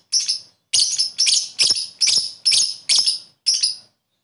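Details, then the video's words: Lovebird sounds for stimulating sluggish lovebirds to sing; a fast series of eight harsh, high, scratchy chirps about twice a second, no background noise. "Suara burung Lovebird,terapi Lovebird lesu males bunyi cepat respon"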